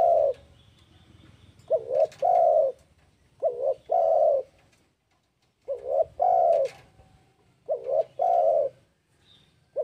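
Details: Spotted dove calling, used to lure rival birds into calling back: repeated low cooing phrases, a short double coo followed by a longer drawn-out coo, groups spaced every two seconds or so, with faint clicks in the background.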